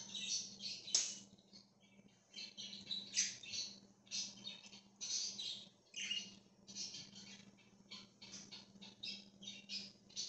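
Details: A budgerigar flock roaming freely, 13 October 2024, keeps up lively high chirps, squawks and warbled phrases in rapid uneven bursts for ten seconds, with a steady low hum behind.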